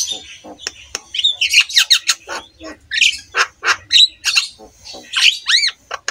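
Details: Black-winged myna master song, used as therapy for mynas reluctant to sing: scratchy squawks and clicks building into dense chattering, ending with a pair of looping whistled notes.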